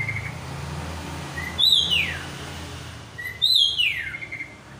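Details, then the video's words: Black drongo in lively song, giving clear descending whistled slurs, each preceded by a short soft note, repeated twice nearly two seconds apart over faint low background hum. "Burung srigunting hitam gacor broooo"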